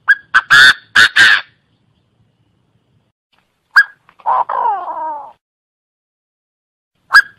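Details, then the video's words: Chinese francolin lure call: four loud, harsh, rhythmic notes in a quick burst, then a single sharp note and a slurred, buzzy, descending phrase, with one more sharp note at the end. "Tiếng chim đa đa mồi chuẩn"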